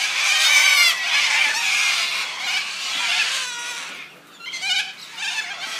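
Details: Little corellas, a large flock numbering up to 100, screeching in Landcox Park, Brighton East, on June 26, 2013; dense overlapping harsh screeches fill the air, fading briefly near the end, with a man's voice complaining about the noise.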